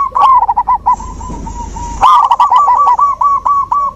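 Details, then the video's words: Zebra dove singing, used to coax a silent dove back into song: bursts of rapid clipped coos, a brief lull with a faint steady high tone, then another dense run of bubbling notes. "Terapi alam perkutut macet mogok bunyi"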